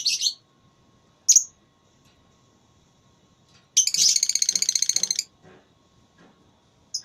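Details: Lovebird in a singing contest, where birds compete by voice: a few isolated sharp high chirps, then a rapid buzzing trill of about a dozen fast pulses lasting over a second, then quiet again.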